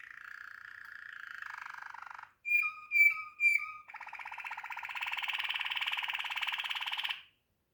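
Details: Waterslager canary singing a steady low rolling trill, then three loud bell-like notes, then a longer, brighter buzzing roll lasting about three seconds before stopping.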